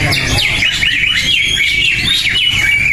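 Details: Greater green leafbird, a caged competition singer that previously won first place at an event, singing loud rapid whistled and chattering phrases sweeping between high and mid pitch, with a dense crowd of other competing birds behind.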